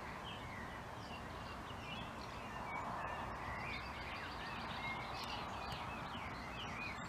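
A dawn-chorus mix of many birds with mellow, fluted blackbird phrases, one close singer repeating twice and others farther off, over a steady hiss of background noise.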